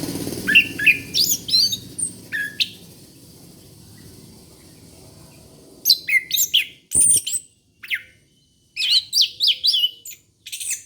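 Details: Orange-headed thrush song played to lure young birds: quick high chirps and slurred whistles over low background rumble, then a quiet stretch and two more lively runs of varied sharp notes and trills.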